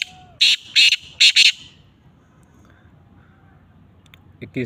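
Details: Black francolin, known locally as kala teetar, recorded in cold weather on 21 December 2022, giving one rasping phrase of four harsh, broad notes in quick succession, followed by quiet and a brief low sound at the end.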